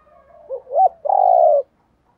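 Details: Spotted dove call played to stimulate wild-caught birds to respond: a soft rising coo and a brief accented note, then one long, steady, slightly vibrating coo ending abruptly, clean and without background.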